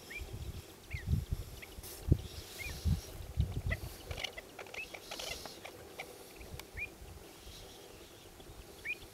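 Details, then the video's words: Pied avocets roughly chasing a young avocet out of their territory: short, sharp, upward-slurred call notes repeated irregularly, partly masked by low thumping and rumbling noise. "Kluut - Recurvirostra avosetta - verjagen jong"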